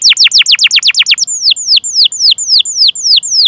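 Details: Canary song meant to prompt young or silent canaries into singing, with rapid downward-swept chirps about six per second, then slower, rounder descending whistles spaced evenly.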